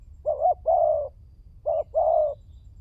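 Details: Tekukur, the spotted dove, on a lure recording meant to make birds call: two low phrases, each a short clipped note followed by a steady, longer coo.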